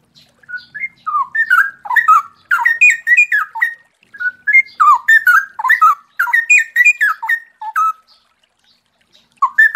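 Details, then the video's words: Straw-headed bulbul pouring out loud, clear, bubbling warbled phrases, rich and liquid, in quick bursts of rising and falling notes with brief pauses between, with flowing water audible. "suara jernih cucak rowo ropel bagus"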